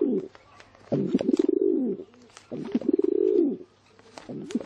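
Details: Two long, low, throaty coos from a pigeon, each a rolling phrase lasting about a second, with scattered clicks and a quiet room behind.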